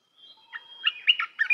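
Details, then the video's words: Red-whiskered bulbul song used to train young birds: a long, thin steady whistle, then a burst of rich, warbling, rapidly changing notes rising and falling in pitch. "เสียงนกกรงตาแดงEp.168 เสียงหัดนกลูกเสอ เพลงเพราะ น่าฟัง"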